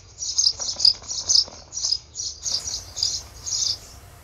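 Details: Four or so young Eurasian tree sparrows calling from their nest in late May 2019, wing-flapping practice growing stronger: rapid high chirps run together in quick pulsing bursts, about two per second, over a low electrical hum.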